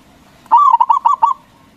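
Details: Local zebra dove with a loud voice, used to make rival doves answer at once: a single quick phrase of about seven bubbling, stuttered coo notes.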